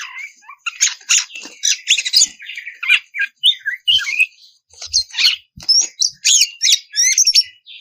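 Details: Oriental magpie-robin giving a harsh, rapid song meant to stir rival birds into singing. Scratchy, buzzy notes come in dense bursts, mixed with high squeaky whistles and chattering.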